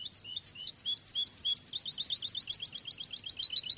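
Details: Cádiz-style song of a Spanish European goldfinch, from a training CD: a quick run of sweet slurred notes that settles into a rapid, even, repeated twitter, about four notes per second, with no other sounds.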